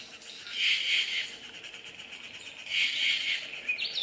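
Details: Yucatan jay (Cyanocorax yucatanicus), Bogor, giving two harsh, raspy calls about two seconds apart, each under a second, followed by a brief thin high note.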